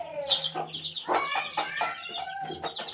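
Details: Chicken chick at eighteen days old giving sharp, high peeps that slide downward, followed by rapid, scratchy chirps in close succession over a faint low hum.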